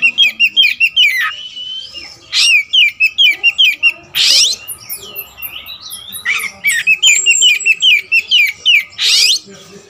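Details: Varied song of a caged all-black white-rumped shama, kacer wulung raja: rapid chattering series of sharp notes about two or three per second, mixed with harsh buzzy bursts and a few high thin whistles.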